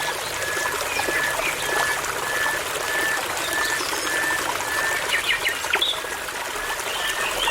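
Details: Nightingale singing in a forest near a babbling brook: a steady series of clear, level whistled notes, roughly two per second, followed by a few sharp upward flicks, over constant trickling water.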